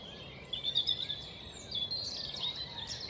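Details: A common chaffinch by a woodland pond in the British countryside gives alarm calls at a nearby grass snake, high, thin notes repeated over a faint hiss, with other birds alarm-calling alongside.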